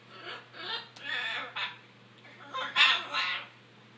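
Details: A string of harsh, rasping macaw squeals and goose-like honks, several short calls followed by louder screeches near the end, from noisy, aggressive macaws.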